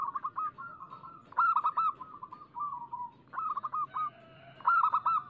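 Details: Local zebra dove song played as a lure to set other doves singing: rapid stuttering bursts of soft, rolling coos, each phrase a quick run of clipped notes ending in a drawn-out purr, repeated with short pauses.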